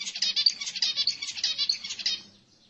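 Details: Zebra finch song played to encourage females to mate: a dense string of rapid, buzzy, toy-trumpet-like notes pulsing evenly for about two seconds before trailing off.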